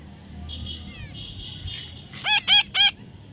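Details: Baby parrot letting out three loud, raspy squawks in rapid succession after a stretch of thin, steady whistling tones and faint chirps.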